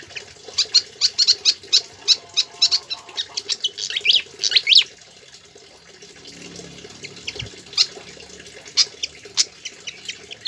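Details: Pied fantail in energetic full song for training other birds: a dense string of high squeaky chirps and twittering notes for about five seconds, then sparser sharp notes over low background rumble.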